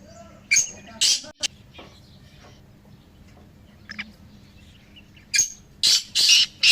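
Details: Trio of black francolins whose voices are meant to encourage a pet francolin to call. Early harsh notes and a sharp click give way to quieter murmurs, then a closing run of four loud, grating bursts.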